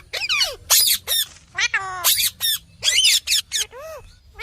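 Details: Green parrot giving loud, rasping screeches mixed with buzzy, stacked, tonal calls and a couple of down-slurred whistles, in a busy irregular sequence.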